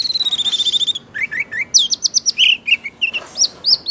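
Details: Orange-headed thrush singing while swaying in a drunken-looking display: an opening buzzy rapid trill followed by loud varied whistles, quick slurs and chirps.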